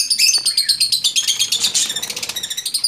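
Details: Caged lovebird screaming in a home aviary among budgerigars and other exotic birds; shrill, rapid chattering notes pour out continuously, speeding into a dense buzzy burst midway before settling back into quick pulsed repeats.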